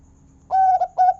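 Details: Local zebra dove with a big "kung" voice, used to prompt other zebra doves into singing: a clean, low, hollow coo, one long note followed by two shorter ones, over near silence.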